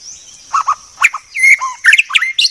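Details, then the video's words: White-rumped shama, described as a very clear song: varied phrases of low whistled notes mixed with sharp high chips and a brief sliding whistle, separated by short pauses. "Masteran Murai Batu Paling Jernih"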